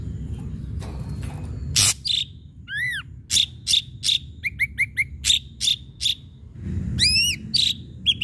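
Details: Ashy drongo in full song for luring other birds: scattered harsh bursts, a downslurred arched whistle, a loose series of short chirps and clipped notes, then two more bright arched whistles.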